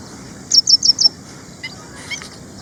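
Ashy prinia gives four quick, high, sharp chipping notes in about half a second, followed by a few fainter high notes.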